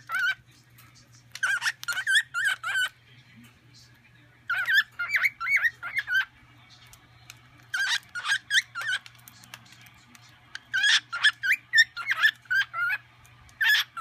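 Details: A cockatiel sings while eating seeds, in bursts of short warbled and whistled notes, pausing between phrases.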